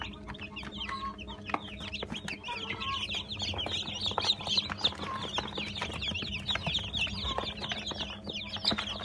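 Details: About 80 newly hatched Brahma chicks peeping together: a dense, constant chorus of shrill downslurred cheeps, with scattered clicks and a persistent low hum.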